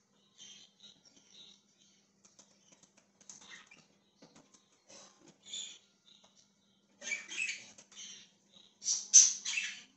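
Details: Budgerigar chirping: quiet scattered chirps and warbles early on, building to louder bursts of harsh, buzzy, high chatter in the final three seconds.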